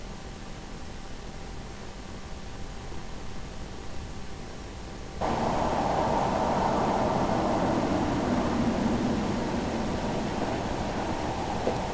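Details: Only mechanical noise is heard: a steady low hum with a faint tone, then a sudden louder rush of broadband noise like a vehicle or air flow.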